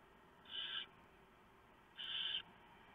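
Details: Night at a barn owl nest, 3 November 2015. The male has just delivered a big mouse for the owlets. Two drawn-out, rough hissing screeches come a second and a half apart against a faint background hum.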